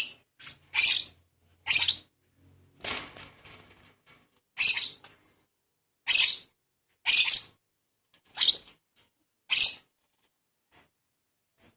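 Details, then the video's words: Baby lovebird begging while being hand-fed: short harsh raspy bursts, each about a quarter second, repeated roughly once a second with short gaps, no other sounds. "Lolohan Baby Lovebird"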